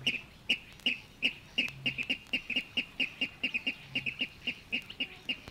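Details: Water Rail calling from Matsalu reed beds, USSR, field recording released on a 1979 vinyl LP; a steady run of clipped, high, tinny notes, some doubled, coming two or three per second over faint crackle.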